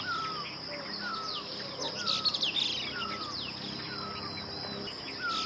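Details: Streaked laughingthrush in Uttarakhand, Himalayan scrub and forest: a series of down-slurred whistles spaced about a second apart, with scattered sharp high chirps and a continuous shrill insect buzz.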